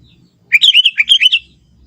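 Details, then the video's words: Sooty-headed bulbul, young and from the forest, delivers one quick phrase of about eight bubbly, warbling notes lasting under a second, loud and clear against a quiet background. "suara kutilang muda hutan gacor suara asli tanpa isian"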